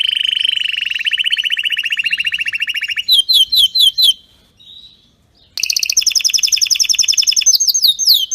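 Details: Canary singing a very strong, clean training song: a fast rolling trill, a few sharp descending sweeps, a brief pause, then a high rapid trill mixed with quick chirps.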